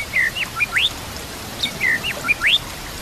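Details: White-rumped shama song played as a training recording for other shamas, with nature sounds and trickling water: clear whistled phrases of short swoops and rising slurs, one figure repeated twice within three seconds, over a soft hiss like water.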